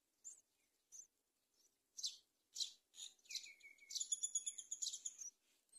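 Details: Mother myna feeding locusts to her young at a palm-tree nest; a few sharp chirps, then rasping bursts, a thin falling whistle, and a rapid, rattling run of high notes at the end.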